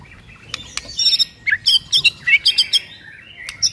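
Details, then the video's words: White-rumped shama song used as a lure to get a silent bird singing: a short series of bright, sharp chirped notes in quick irregular bursts, with clicks between phrases and a faint low background hum. "HITUNGAN DETIK DIJAMIN MURAI BISU LANGSUNG GACOR DENGAN PANCINGAN INI"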